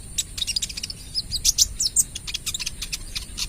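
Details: Kolibri ninja sunbird, 'trotol' variety, in full energetic song meant to draw other birds: a dense stream of rapid, very high, sharp chirps and squeaky twitters, almost continuous, over a faint steady hum.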